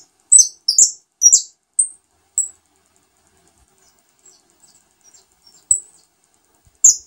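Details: Saffron finch (jilguero dorado) feeding newly hatched chicks; a burst of sharp high chirps and whistled notes in the first two seconds, then faint soft peeps and a final sharp note.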